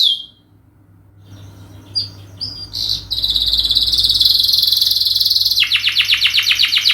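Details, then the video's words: Canary singing a long song meant as a lure: a brief high note, quiet hiss, scattered chips, then a sustained, very high buzzy trill that breaks into a rapid series of down-slurred whistled notes. "masteran burung kenari gacor panjang untuk pancingan"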